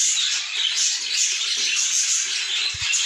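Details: Budgerigar chicks inside a nest keep up a continuous high, raspy, hissing chatter of begging calls, with two soft low thumps near the end.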